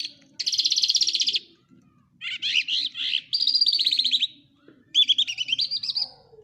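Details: Lark in Quetta sings long, rapid rattling trills, varied buzzy phrases and a fluty, wavering, rising run, separated by short pauses; faint low hum behind.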